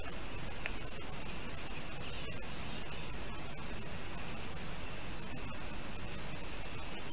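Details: Broadband hiss and crackle from a Latvian eagle nest camera at lunchtime in July 2019, continuous and even, with no calls from the birds.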